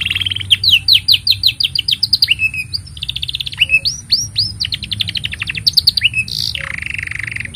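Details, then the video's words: Canary delivering a long tutor song for young canaries: rapid trills of short repeated syllables, buzzy rolls and swept whistles, with barely a pause. "Kenari Gacor Panjang Ini Bagus Untuk Masteran Kenari Paud Dan Pancingan Kenari Bisu"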